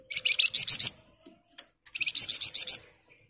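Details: Sunda bush warbler sings two quick phrases, each about six rapid notes that start a little lower and jump to piercing high pitch, with a short pause between them.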